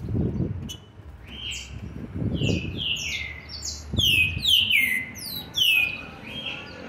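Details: Green-winged saltator juvenile, seven months and 20 days old, 13/11/2020: a sequence of clear falling whistles builds into a rapid run of four or five loud ringing downslurred notes, with low knocking sounds behind.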